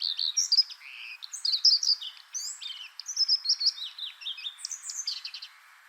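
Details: Common redstart (Phoenicurus phoenicurus) singing: a quick run of high, thin whistled and twittering notes, some slurred and some buzzy, in several short bursts over six seconds, with a soft steady hiss in the background.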